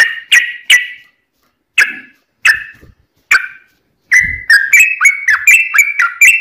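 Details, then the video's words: Yellow-vented bulbul singing loudly, in song used to provoke other bulbuls into answering: several sharp separate chipping notes at first, then a fast chattering run of liquid, bubbling notes rising and falling. "trucukan gacor TARUNG ROPEL PANJANG buat pancingan trucukan agar bunyi"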